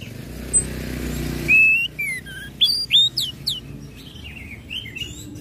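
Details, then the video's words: Orange-headed thrush song, ngecip, ngecit and ngeplong style, used to trigger other birds to sing: after a second of low hum, clear whistled phrases with rising and falling slurs, then sharp high notes and softer warbles. "SUARA ANIS MERAH NGECIP NGECIT NGEPLONG PEMANCING BIRAHI AGAR IKUT BUNYI"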